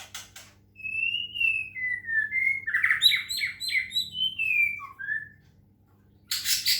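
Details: Medan white-rumped shama kept as a caged songbird and played water sounds to get it singing, delivering a run of clear whistled notes sliding downward, then a buzzy, chattering phrase rising high before dropping to low whistles, ending in a harsh burst.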